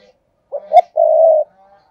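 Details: Spotted dove, a caged lure bird used to draw in wild doves, giving the 'thúc gù' coo: two short low notes followed by a long, steady, slightly buzzy coo, clean and close with no other sounds.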